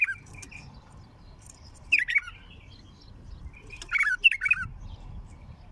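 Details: Heavy-throated bulbul song, recorded raw: brief clipped notes, then two louder warbled phrases of quick descending and rising notes about two seconds apart, with a faint low rumble underneath.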